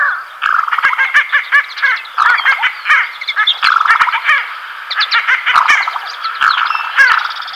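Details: A black-bellied sandgrouse pair, male and female, on waste ground on the western La Mancha plain near Villarrubia de los Ojos, Spain, in early July, gives rolling, bubbling, gurgled calls in quick overlapping bursts, the throaty chatter running almost without pause.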